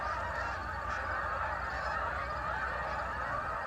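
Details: A large group of geese leaving to feed in the fields, heard from an orchard: continuous overlapping honking from many birds, a steady dense chorus without pauses, over a faint low rumble.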